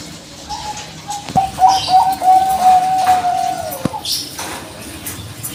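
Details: Bangkok-type zebra dove in a lure recording meant to provoke other doves to reply: a long run of soft, clear coos at a steady low pitch, beaded rapidly together over about three seconds, with faint rustling behind.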